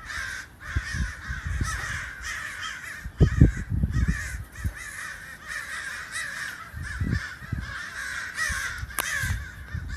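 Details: A flock of crows that built up from a couple of birds, heard from inside a house: continuous overlapping harsh caws, broken by repeated low thuds and knocks nearby.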